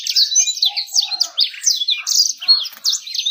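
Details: Bird singing as bait to prompt song and to lure females: lively, fast, high-pitched warble of slurred chirps and trills in rapid succession, pulsing in loudness throughout.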